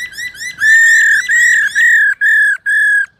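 A female Black-throated laughingthrush gives five loud, clear whistled notes, each about half a second and gently arched, in quick succession. A faint low rumble sits underneath at first.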